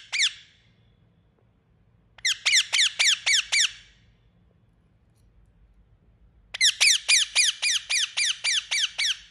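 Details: A pet Indian ringneck parrot calls in bursts: a single shrill note, then six fast down-slurred squawks, a silence of several seconds, and a longer rapid series of about a dozen.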